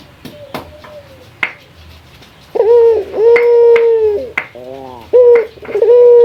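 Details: Male local Barbary dove calling to a rival. Quiet taps come first, then a loud, level coo, a short fluttering stutter, and the start of another coo.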